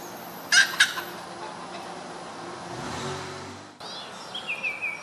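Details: Red junglefowl hen uttering two quick harsh, scratchy notes in close succession, followed by a low rumbling background noise and some faint high chirping near the end.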